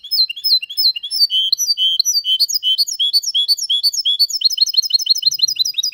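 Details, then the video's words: Hybrid of goldfinch and canary delivering its Malaga-style song without errors: quick, high, sweet whistled notes with tumbling slurred phrases, some brief pauses, ending in a fast, regular series of upswept chirps. "Mixto de Jilguero Cantando Limpio (Video HD)Mulet de Chardonneret X canari /hybrid goldfinch singing"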